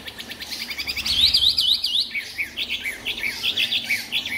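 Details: Caged three-month-old white-rumped shama, newly arrived and unbathed, singing in Hanoi: a fast run of looping whistled notes, then sharp rising-and-falling chips repeated several times a second.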